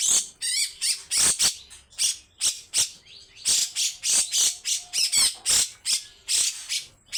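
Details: Grey-cheeked bulbul with a loud, rough 'besetan' song: steady runs of hissing, buzzy bursts, several per second, some with quick rising trills inside them.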